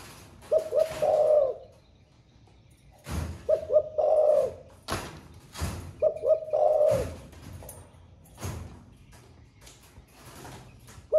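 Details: Spotted dove in 'thổ pha' song style repeating its coo three times, roughly every three seconds: two short low notes and a longer coo each time, with loud knocking sounds between phrases.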